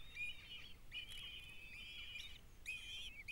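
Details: Kestrel chicks being fed by their mother after the male brought food; drawn-out, strained, screechy wails rise and hold in long overlapping bursts with brief gaps, over low rumbling background noise.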